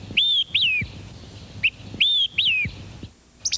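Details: Olive-sided flycatcher; whistled song; advertising its presence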